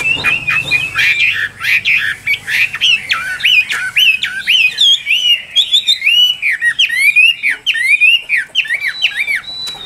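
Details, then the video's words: A Chinese hwamei in a cage in Vietnam pours out a loud, varied whistled song, with rapid swooping notes, sharp upslurs and clipped trills packed closely together without pause. "Họa Mi Tam Hoàng Miệng Mỏ Như Máy Khâu, Điện Đóm Căng Hót Hét Bài Bản"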